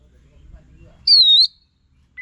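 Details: Single clear whistled note from an Olive-winged Bulbul, dipping slightly and rising again, in a recording used to lure or tutor songbirds; faint low murmur beforehand.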